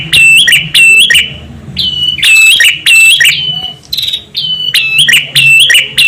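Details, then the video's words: Male and female prinia heard together for luring birds: strident chirping bursts, some notes sliding slightly higher, overlapping in a busy, uneven sequence. "SUARA PRENJAK JANTAN & BETINA UNTUK MEMIKAT"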